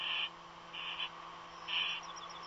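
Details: Unknown nest bird, not an eagle, utters three rasping hisses, the last loudest, with a faint quick ticking series in the background and a steady hum.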